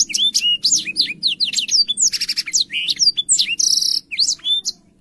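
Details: Black-throated canary singing energetically in a clear voice, used as a tutor song for young canaries: a rapid, unbroken stream of high, sweeping whistles and chirps, with occasional buzzy trills. A faint low hum runs underneath.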